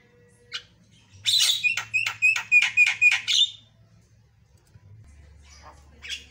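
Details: Lively white-eyed Javan myna (jalak kebo mata putih) delivering a quick burst of about eight harsh, ringing notes in under three seconds, bracketed by isolated short scratchy calls.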